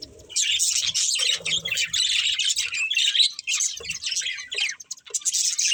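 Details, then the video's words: Budgies chattering in a busy flock, quick scratchy warbles and chirps running together, with brief breaks near the third and fifth seconds and soft low knocks in between. "Beautiful Budgies Chirping Sounds"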